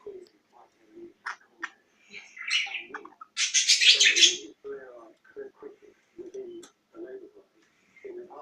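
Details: A pet budgerigar (Melopsittacus undulatus) named Hector, playing a "tap tap tap" game, gives a burst of bright, scratchy chatter among low, repeated murmuring sounds.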